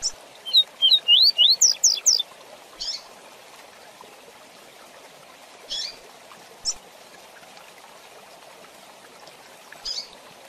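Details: Double-collared seedeater song in the fast 'Tui Tui Zel Zel' style, used to tutor young birds: a quick burst of about eight bright, rising whistled slurs climbing higher toward the end, followed by scattered soft hissy splashes like dripping water.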